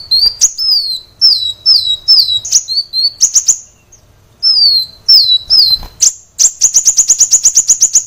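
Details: Training recording of a kolibri wulung sunbird in nonstop song: high downslurred whistles in groups, a short silence, more whistles, then a sharp chirp and a rapid even trill of clipped high notes.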